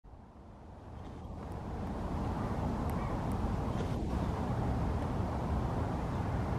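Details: Steady low rumbling noise, like wind or a passing vehicle, swells over the first two seconds and then holds, with no calls heard.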